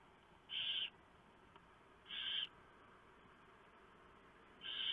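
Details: At a barn owl nest on a November night, around 4 AM, the male brings a huge mouse and the female tears it up for the owlets; rasping, noisy bursts of about half a second come irregularly, over faint steady background hiss.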